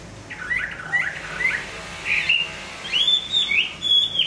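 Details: A moulting Hwamei sings varied phrases: soft warbled notes at first, then louder, clear whistles that rise and fall in quick succession.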